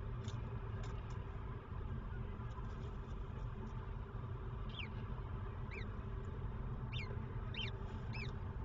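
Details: Peregrine falcon nest with its first chick, seen from 13:52 in the afternoon, 26 April 2023; faint ticking early on, then spaced high, sharp, slurred notes in the second half, all over constant low-pitched background noise.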